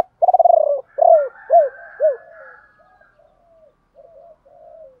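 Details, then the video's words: Spotted dove decoy bird singing the 'ba hậu' pattern to attract wild birds: a rattling opening coo, then three descending arched notes. Soft murmurs and a faint steady tone follow. "Chim cu gáy mồi gáy gọi ba hậu, nhiều anh em bảo là bổ ba"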